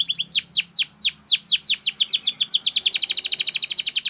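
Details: Belgian canary training song: rapid series of sweeping downward whistled notes about five per second, shifting near the end into a faster, tighter trill of short repeated notes.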